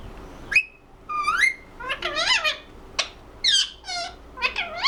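A ringneck parrot talks in high, squeaky, nasal bursts, about eight short word-like phrases and chirps in five seconds, some ending in thin whistles.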